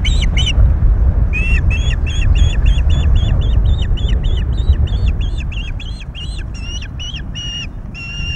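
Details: At a Scottish loch nest on 22 May 2021, during chick feedings after a third hatching, an osprey gives a loud, fast series of clipped, whistled chirps, roughly three a second, fading toward the end over heavy low wind rumble.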